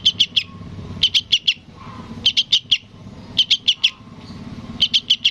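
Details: Sooty-headed bulbul chick calling for its parent, five bursts of three or four rapid, bright chirps, spaced about a second apart, with soft background noise between.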